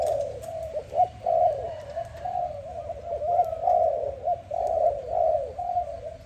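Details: A dove coos through the morning in a continuous chain of low, soft, slightly throbbing notes with no real pause.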